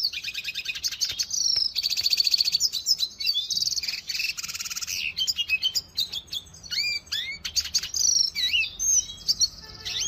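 A Venezuelan goldfinch sings a long, fast, high twittering song of buzzy trills, sharp chirps and quick rising and falling whistled notes, with no pauses.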